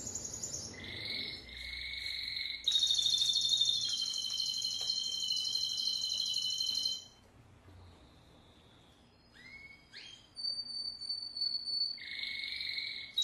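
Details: Timbrado canary song with sustained buzzy rolls, one loud, continuous rolling trill lasting about four seconds, a quiet pause, then short rising whistles and another steady roll.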